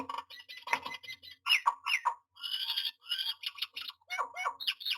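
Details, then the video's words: Myna at a nest box during nesting (June 9, 2022) gives a busy run of harsh squawks, chatters and bright whistled notes, varied and nearly continuous, in a small enclosed space. "Myna nesting update"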